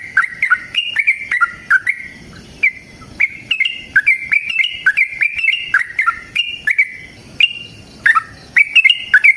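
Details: Long energetic yellow-vented bulbul trill for provoking caged birds to sing: a steady run of fluty whistled notes, bouncing between two pitch levels, repeated rapidly with hardly a break.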